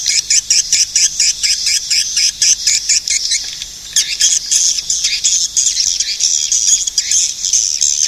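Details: Swiftlet twittering loudly in choppy, high-pitched chattering bursts, the notes rapid and clustered with a short lull near the middle.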